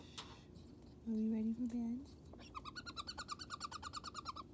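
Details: A pet Moluccan cockatoo's bedtime chatter: a low, voice-like talking phrase, then a quick run of about fourteen nasal chattering notes in under two seconds.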